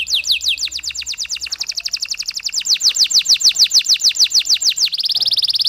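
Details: Canary song used to stimulate other canaries: a long, loud series of rapid down-sweeping whistled notes, about five per second, ending in a fast buzzy rattle.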